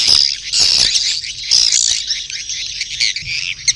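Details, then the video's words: Swiftlets giving a lustful breeding call: bursts of high chattering trills and squeaky whistles in quick succession, rising and falling in loudness every half second or so. "SUARA WALET BirahiBeranak | the sound of swallow lust"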